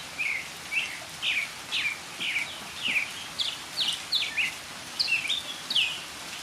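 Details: Northern mockingbird singing in the rain: a varied run of short, sharp phrases, slurred and swept notes between low and high pitch, delivered about twice a second with brief pauses, over a steady hiss of background noise.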